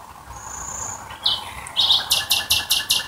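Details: Nightingale at night near Dresden: a thin high whistle, then a pulsing series of dry, buzzy notes repeated roughly every fifth of a second over a steady background hiss.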